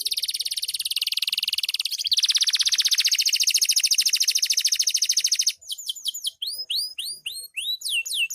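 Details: Caged canary, called a loper, singing energetically at night: long rapid trills of fast repeated high notes, a buzzier lower-pitched trill from two seconds, then a series of clear rising and falling whistled sweeps.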